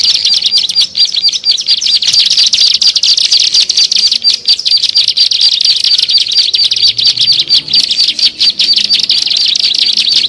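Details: Lure recording of bar-winged prinia (ciblek sawah), made for attracting birds; a loud, unbroken stream of high, buzzy chattering notes delivered rapidly without pause.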